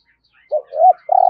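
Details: Spotted dove, thúc gù cooing in the deep rolling thổ rền voice: a brief low coo, a swelling arched note, then the start of a buzzy vibrating coo.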